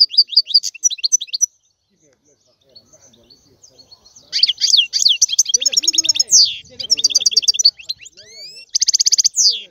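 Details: European goldfinch singing: bright, high twittering bursts of rapid tinkling notes and buzzy trills, broken by a pause, then louder liquid chattering runs, with faint voices in the background.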